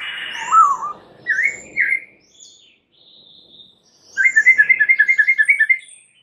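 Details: White-rumped shama singing a lure song meant to trigger replies from other shamas: varied slurred whistles and high thin notes, then a fast, even trill of about fifteen rapid notes.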